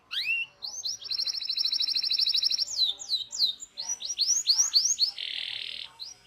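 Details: Local canary giving training song: a rising whistle, then a long rapid high trill, sliding upward swoops and a closing harsh buzzy burst.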